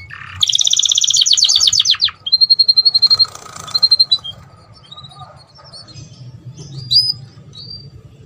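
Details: Canary song meant to prompt mating: a fast, loud rattling trill, then a series of clipped whistled pulses repeated several times a second, fading into softer scattered chirps.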